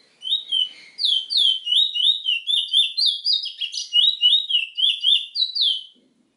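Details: Trinidad bullfinch, the chestnut-bellied seed finch, delivers a steady five-second string of bright, swooping whistled notes at a brisk even pace, ending cleanly in silence.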